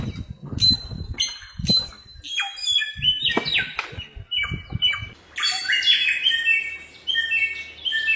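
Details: Bare-throated Whistler (samyong) of Nusa Tenggara singing in the wild: irregular sharp whistles and down-slurred notes between low rumbling thuds, ending in a dense cluster of high slurred phrases.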